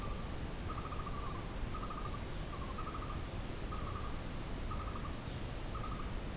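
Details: A blue-throated barbet singing in the jungle repeats short, rolling, mid-pitched trilled notes about once a second over a constant low rumble of background noise.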